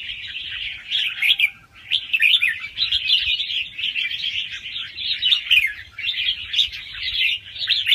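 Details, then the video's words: Young wild red-whiskered bulbul singing fast rounds with doubled phrases, used to stimulate other birds: dense, unbroken chattering warble of quick bright notes, brief dips in loudness, faint low rumble beneath. "ลูกนกกรงหัวจุกป่าคัดหัวปากเบาๆ รอบเร็ว มีลักเบิ้ล ใว้เปิดกระตุ้นนกฟังนกคึก"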